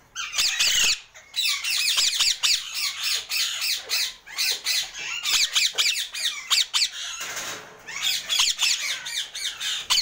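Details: A pet yellow-and-green Alexandrine parakeet gives loud, harsh, rasping squawks in rapid bursts, with a brief pause before the calling resumes.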